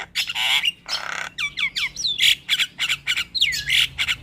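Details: Black-winged myna song, a lure sound for stressed birds that stopped singing: loud raspy squawks, a series of down-slurred whistles, then rhythmic harsh notes about three per second.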